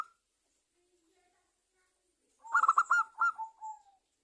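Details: A zebra dove (perkutut) from Java, recorded as a lure to make other doves sing. After a long silence comes a short burst of rapid, clipped hooting notes ending in a soft trailing coo.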